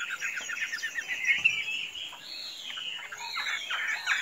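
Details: Chinese hwamei, a very tame bird that can be let loose without flying off, singing a rich, varied run of fast whistled and warbled notes, with quick trills in the first second and a long sliding phrase later on.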